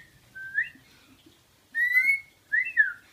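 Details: Rainbow lorikeet kept as a pet copies a person's whistled tune: faint human whistles first, then two bright, harmonic-rich whistled notes from the bird, the second rising and falling.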